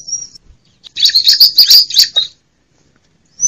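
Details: A female bar-winged prinia, used as a lure call for wild prinias, gives a thin, high whistle, then a rapid burst of sharp, bright chirps lasting over a second, with another high note at the end.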